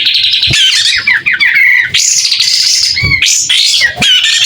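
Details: Vigorous White-rumped shama song, tail opened. A series of quick descending whistled notes leads into loud, rich, high warbling and trilling phrases that barely pause.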